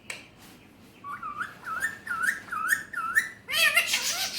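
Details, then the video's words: Pet Alexandrine parakeet whistling a run of five rising-falling notes, about two per second, then a harsher, buzzy burst of mimicked sounds at the end; quiet room. "Alexandrine Parrot Natural Voice || Mitthu best Talking || Amazing Speaking parrot || Urdu/Hindi"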